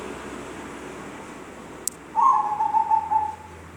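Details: Zebra dove calling oddly: after quiet background noise and a sharp click, a soft whistled phrase of about a second, beaded into gentle pulses and dropping slightly in pitch.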